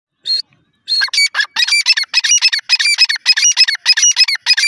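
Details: Grey francolin, known locally as teetar, calling in a loud, fast series of harsh, ringing notes that repeat in a steady, hurried rhythm after one brief opening note.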